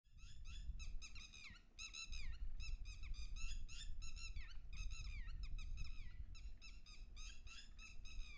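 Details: Red-wattled lapwing (Vanellus indicus), a breeding resident of open areas and wetlands in Haryana, giving loud, shrill, down-slurred notes in fast excited bursts, several per second, over a steady low rumble of wind or distant traffic.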